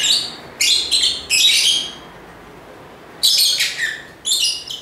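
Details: Lovebird chatter: several fast, shrill, buzzy chirps in a group, a silent stretch of over a second, then two more harsh bursts.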